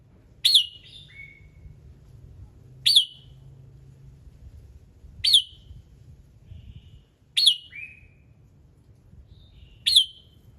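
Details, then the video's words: Red-whiskered bulbul singing in the morning, played to prompt other birds to sing: five short, bright whistled phrases, each a sharp slurred burst falling into a brief trailing note, spaced about two to three seconds apart over a low background hum. "Chào Mào Hót Sáng Nhiều Âm Hay"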